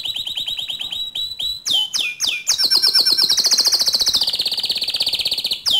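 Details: Canary, white, singing: steady rapid chips, a few sweeping whistles, then a long fast trill gradually dropping in pitch and ending with a sharp sweep.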